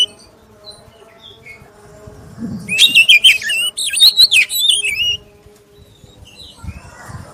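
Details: Black-breasted oriental magpie-robin lure song for prompting other magpie-robins to sing; a single two-second burst of rapid warbled, wavering whistles after quiet, then faint low rumbles.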